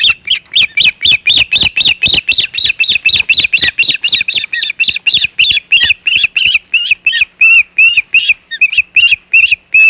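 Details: Osprey on its Hog Island nest at feeding time in July 2020, giving a rapid, loud series of shrill chirps that begins as a dense rattle and slows into separate, evenly spaced whistled yelps.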